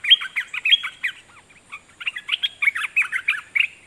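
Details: Decoy red-whiskered bulbul singing toward wild birds: two lively bursts of chattering, warbled whistles and chirps separated by a short pause, loud and close.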